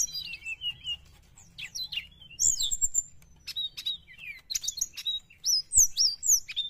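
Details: Sooty-headed bulbul in full, lively song, used to lure wild birds: a rapid, continuous stream of high chirps, sharp upslurred whistles and twittering notes, several per second, with faint low hum beneath.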